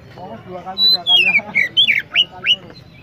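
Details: Oriental magpie-robin singing: a run of loud, high, sweeping whistled notes, several sliding steeply downward, about three a second, over a faint low hum.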